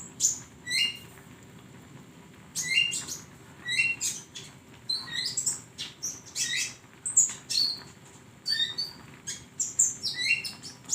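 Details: Songbird training recording of a flowerpecker, opening with a few isolated high notes, then dense bursts of sharp ticks and short rising whistles repeated every second or so.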